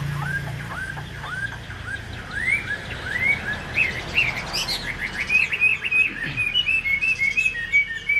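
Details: Chinese hwamei in a cage, singing without a female: arching slurred notes building into a fast, dense series of high whistled phrases repeated several times a second.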